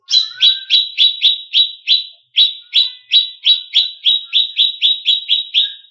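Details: Emotional greater green leafbird song used to goad competition birds: an almost unbroken series of loud, sharp, identical chirps at about three per second, with one brief pause.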